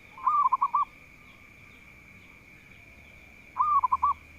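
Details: Local zebra dove, an eager singer said to draw out rivals, utters two brief rolling coo phrases about three seconds apart, separated by quiet, with a faint steady high whine throughout.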